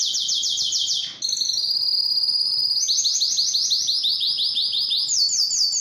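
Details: Singing yellow canary: a fast high trill breaks off briefly, then comes a sustained whistle-like tone, followed by rapid rolling trills and a final higher run.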